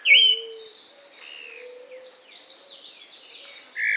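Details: Wild pale-breasted thrush (Turdus leucomelas), singing freely in nature; its melodious song is heard in the breeding season from August. A loud clear whistled note, then softer varied warbling phrases, and a strong whistle again at the end, over a faint low hum.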